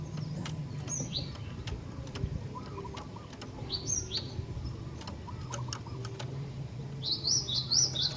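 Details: Calls of a female Javan sparrow meant to excite males: bright, high, down-slurred notes in short groups, then a quicker run of repeated chips near the end, over a low hum.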